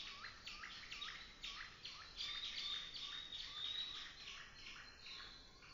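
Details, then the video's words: Birds singing in an autumn forest: a busy stream of short, bright chirps and upswept notes, several per second, with a thin high whistle running through the middle of the passage. "Birds singing in the autumn forest"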